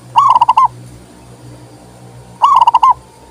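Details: Local zebra dove cooing to coax other doves into singing: two bright phrases of rapid, pulsing coo notes ending in a longer note, a little over two seconds apart, over faint hum.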